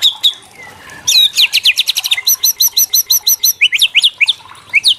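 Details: Kretekan from a white-rumped shama, sung to goad young shamas into replying: a few sharp whistles, then bursts of quick, high, metallic notes in rapid series, ending with scattered rising chips.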